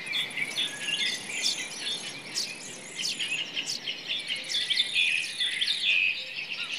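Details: Common nightingale singing in forest, bursts of chirps and short whistled notes in uneven phrases, mixed with other bird calls and an intermittent high insect-like drone.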